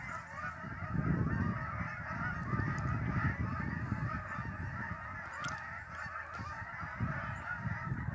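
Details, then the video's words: Honking of many migrating geese at Lake Champlain in upstate New York, an unbroken mass of nasal calls, over strong low-pitched rumbling noise that swells and fades. "Migrating Geese-Lake Champlain-Northern NY"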